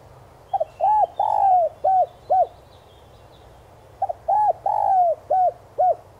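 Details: Decoy spotted dove singing in the 'son' voice to draw in wild doves; two complete phrases about three and a half seconds apart, each a stuttered opening, a drawn-out falling coo and two clipped hooting notes.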